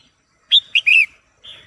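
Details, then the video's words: Caged female red-whiskered bulbul calling to excite a male: one quick phrase of three bright whistled notes, the last longer and warbling, followed by a fainter trailing whistle. "Chào Mào Mái Hót Kích Trống Căng Lửa | เสียงนกกรงหัวจุกตัวเมียดังฟังชัดกระตุ้นนกตัวผู้"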